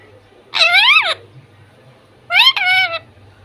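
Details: Indoor pet talking parrot giving two drawn-out, nasal, speech-like calls about two seconds apart, each with a rising then falling tone.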